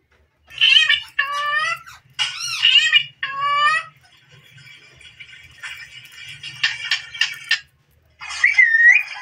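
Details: Pet Indian ringneck parrot chattering as it dances: a run of four rapid harmonic speech-like syllables, a quieter buzzy stretch with faint low hum, then clipped squeaky bursts and a final wavering whistled note.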